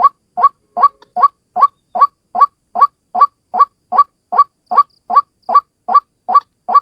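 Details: White-breasted waterhen, a single bird's lure call: a harsh, nasal two-part note rising then falling, repeated steadily about two and a half times per second with machine-like regularity. The background is otherwise silent.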